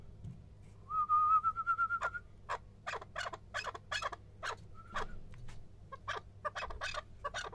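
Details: Male chukar partridge: a wavering whistled trill, then bursts of rapid harsh chuck notes. A second short whistle breaks the series midway.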